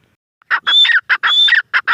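A female grey francolin gives loud, harsh notes with a thin high whistle laced through them. The phrases repeat rapidly, about every half second.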